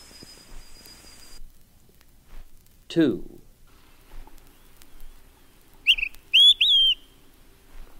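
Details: Olive-sided Flycatcher, first of four examples among songs of eastern birds, whistles its loud three-part song: a short, quiet opening note, then two emphatic slurred whistles, the last dropping in pitch. Faint background hiss.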